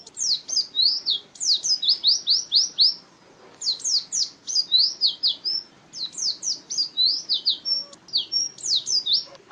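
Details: Champion pleci white-eye kept as a contest songbird, 2017, delivering high, fast twittering runs of slurred chirps in three long bursts separated by brief pauses.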